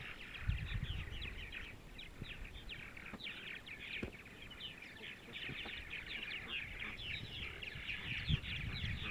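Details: Purple martins on a sunny Sunday morning in central Ohio, a dense chorus of gurgling, chirping calls overlapping nonstop, with scattered low thumps and rumble beneath.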